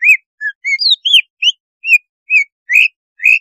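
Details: Greater green leafbird giving a rapid series of clear, varied whistled notes, about three per second, some rising, some slurred downward; used as a lure song to arouse leafbirds and make them aggressive or wake them.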